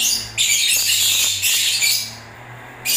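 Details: One sustained, harsh, shrill screeching burst of about two and a half seconds from lovebirds in breeding season, ending abruptly, then a fresh squawk.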